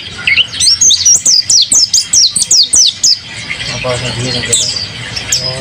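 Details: Kept mountain white-eye singing energetically, giving a rhythmic series of about a dozen sharp high downslurred notes, followed by a person speaking.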